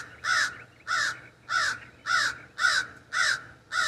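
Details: Seven coarse, cawing calls at a steady rhythm of nearly two a second, given by a raven perched in an ash tree in a backyard, heard from a sunroom window.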